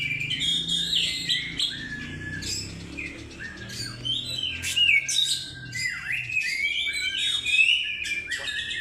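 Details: Oriental magpie-robin song used as a lure, full of quick chirps, downward-sweeping whistles and buzzy notes in a steady stream, with a low droning tone in the background.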